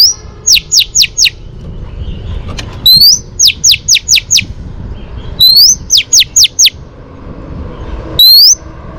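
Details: Female Oriental magpie-robin whistling to stir up males, used for training: a sharp rising whistle then four or five quick descending downslurred notes, the phrase repeated about every two and a half seconds over a low background hum.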